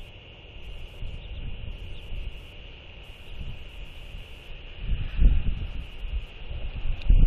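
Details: Gusty wind buffets the microphone with low rumbling bursts that grow stronger toward the end, and no animal voice can be picked out.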